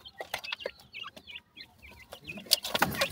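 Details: Francolin (teetar) chicks of white, brown and mixed types: many overlapping short high chirps and bent peeping notes, some quick down-slurred, with scattered clicks and a burst of rustling noise near the end.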